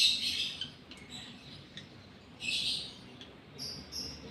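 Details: Lovebird in breeding condition, in the gara state, giving harsh, high twittering bursts: a strong one at the start, fainter ticks in between, then another loud burst and short high chirps near the end.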